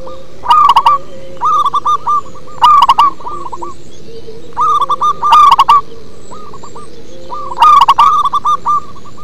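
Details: Local zebra dove singing with a deep voice: loud stuttering coo bursts alternate with gentler rolling phrases in a steady rhythm, about five loud bursts in nine seconds.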